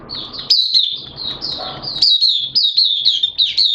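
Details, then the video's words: Hobby-kept white-eye in open song on a wet, erratic-weather day, 11 September 2022: a continuous thin, high chattering warble of quick slurred twitters, with soft low background noise. "Mata Puteh T-Rex Buka Sing"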